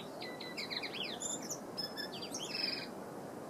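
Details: Tui at Karekare Beach, Auckland, New Zealand, singing a varied phrase of quick whistled slurs, rising and falling notes, clicks and a sustained high ringing tone, over steady low surf-like background noise.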